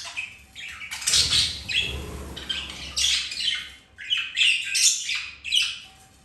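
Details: Budgerigars kept as pets, mating, flirting and playing; dense, harsh warbled chatter and squawky chirps come in rapid bursts, with a low rumbling noise in the background.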